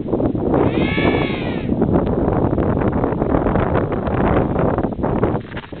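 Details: Among emperor penguins preening in a colony on the Brunt Ice Shelf, one gives a wavering, bleat-like trumpeting call lasting about a second over a steady roar of wind and colony noise.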